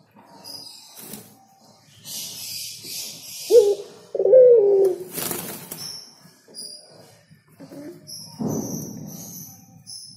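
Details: Spotted dove cooing once, a short note then a longer falling coo, among loud bursts of broadband rustling noise, a low thump and faint high bird chirps.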